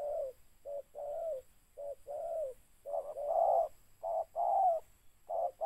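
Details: Spotted dove (tekukur) at a decoy bird-catching session: a continuous series of throaty coos, short and long notes alternating at a quick, fairly regular pace.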